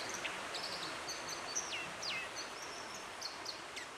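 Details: Dippers, Britain's only aquatic songbird, singing in Dovedale in October 2017: thin high whistles, quick downslurred notes and scratchy trills, fairly faint over a steady rush of running water.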